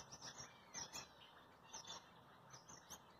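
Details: A Gouldian finch (red head, purple breast, green back) in a breeding pair doing its courtship dance gives soft, hissing, very high chirps and buzzy notes in short bursts about once a second.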